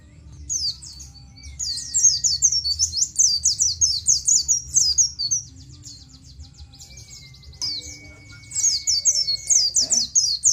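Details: Captive-training recording of Oriental white-eye nGalas song: fast runs of high, scratchy 'ciet' chirps in long bursts, a quiet pause midway, then another vigorous burst; a faint steady whistle-like tone runs underneath.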